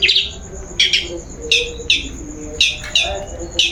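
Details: Long-tailed shrike singing as a lure for other birds: spaced, bright high chirps, often in pairs, with short gaps and soft lower warbling underneath.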